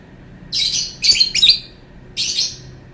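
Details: Lovebird uttering a long sound: several harsh, buzzy, high squawks in quick succession, some stuttered, then one more drawn-out rasping note.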